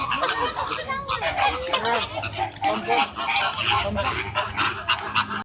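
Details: Noisy flock of flamingos calling back and forth in a squawking exchange; overlapping nasal, honking calls with curved, harmonic-rich notes follow one another continuously, several birds calling at once.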